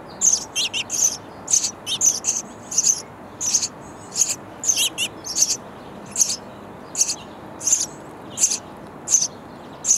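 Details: Sparrow nestlings in a bird house chirp loudly for insects from their parents, a rapid rhythmic run of shrill, rasping high bursts near two per second, sometimes paired.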